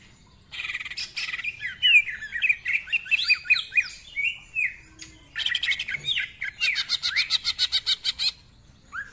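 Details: Greater green leafbird song packed with 'isian' fills and 'nembak' bursts: after a quiet start, a jumble of quick slurred whistles and chirps, a pause, then a rapid regular rattle of harsh buzzy notes.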